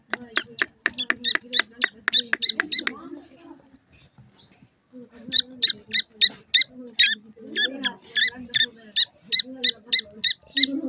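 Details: Young grey francolin chicks while feeding: long runs of quick, shrill, evenly spaced chirps, broken by a short pause, then more rapid high peeping over a faint low hum.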